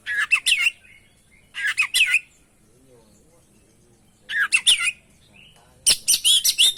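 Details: Kacer, the oriental magpie-robin, singing energetically in lure material: pairs of quick, bouncy phrases with whistled upward slurs, a long quiet pause, then a dense, harsh, ringing run of notes at the end.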